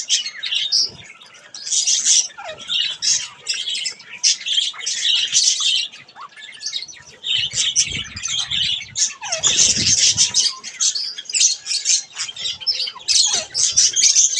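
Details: Budgies bathing chatter almost nonstop, a busy stream of high, buzzy chirps and squeaks broken by a few brief pauses and soft splashing or fluttering noises.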